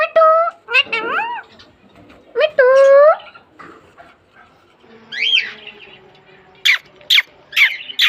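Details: Green Mithu parrot kept as a pet, speaking several short, shrill word-like syllables with rising and bending pitch, followed by a pause and then a quick series of sharp high chirps near the end.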